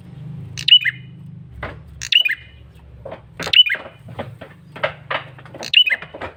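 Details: Bar-winged prinia male giving a persistent lure call: five shrill, downslurred bursts at uneven intervals, mixed with dry, scratchy clicks, over a low droning background.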